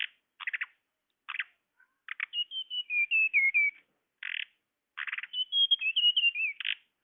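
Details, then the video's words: Tledekan lure recording used to attract birds: descending chains of thin, high whistled notes stepping downward, broken by short harsh buzzy bursts repeated between phrases, in clean silence. "Suara pikat burung tledekan"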